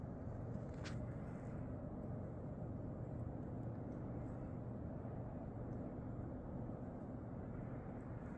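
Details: Quiet, steady low rumble of distant traffic or aircraft on a foggy morning outdoors, with no clear bird or other animal calls.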